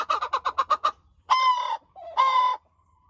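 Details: A crowing hen opens with a quick run of about seven short clucks, then gives two sustained, even, buzzy crow notes with a brief soft note between them.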